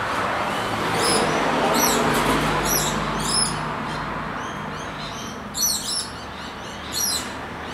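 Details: Two scaly-breasted lorikeets in Brisbane give shrill, high screeching calls in short harsh bursts, repeated roughly every half second to a second, with a few pauses, over a steady low background hum.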